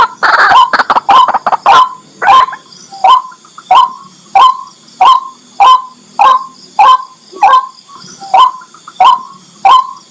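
White-breasted waterhen opens with a quick flurry of croaks, then settles into harsh, nasal 'kwak' notes about one and a half per second, over a thin high insect drone.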